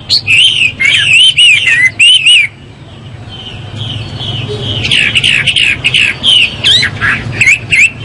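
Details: A Chinese hwamei sings in the morning: loud, varied phrases of rich whistles and rising and falling slurred notes, delivered in quick bursts with short pauses between them.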